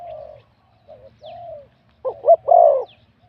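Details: Wild-born spotted dove, scored 87 points in a singing competition, voice called middle-to-big. Softer distant coos first, then one loud close phrase of two quick notes and a long round coo.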